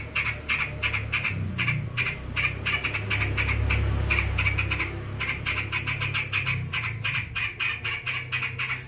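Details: Angry yellow-vented bulbul giving fast, scratchy repeated notes in quick runs, over a steady low rumble like an engine that swells in the middle.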